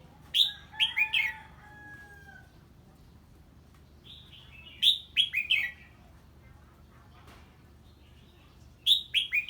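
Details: Red-whiskered bulbul reacting to a strange bird, giving three bursts of rapid, bright, warbling whistles about four seconds apart, each a cluster of three or four slurred notes, with quiet gaps between.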